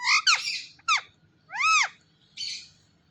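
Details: Pet ringneck parrot talking in a quiet room: four clear, strongly harmonic, arching syllables, rising then falling, with short gaps, the last one softer and buzzier.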